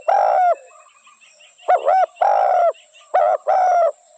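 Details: Spotted dove with a long harmonic coo, then two phrases of quick dipping double notes, each ending in a sustained, slightly falling coo.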